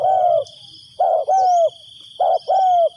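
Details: Decoy spotted dove cooing to lure wild doves for trapping: low two-part coos, a short burst then a longer, slightly falling note, three phrases spaced about a second apart over a steady high insect whine.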